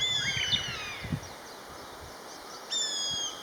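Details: Common buzzard, one of a pair calling to each other with drawn-out peee peee cries: slurred, descending whistles with harmonics in the first second, another cry near the end, and soft low thumps beneath.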